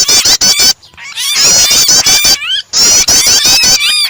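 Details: Prinia starter with an added distressed bird: fast, high, clipped notes and trembling whistles, separated by quieter gaps holding rising and falling slurred whistles.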